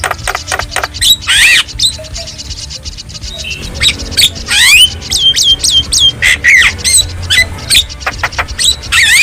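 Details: Wild Javan myna singing in nature, a rapid jumble of harsh squawks, buzzy rasps and sharp rising and falling whistles, with short bursts in quick succession and a faint low rumble underneath.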